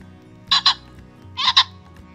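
Common Pheasant giving its harsh, explosive two-note crow twice, about a second apart, over a faint low hum.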